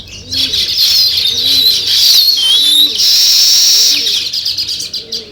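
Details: Weaver-bird sparrows chirp in a loud, jumbled chatter of sharp, high twitters, briefly dipping and returning. Soft, rounded low coos repeat about once a second in the background.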